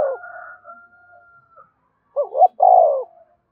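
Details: A thin steady whistle and soft murmurs fade out before a spotted dove gives one urging 'gáy thúc' phrase: a quick double coo and then a longer falling coo, meant to get captive birds calling.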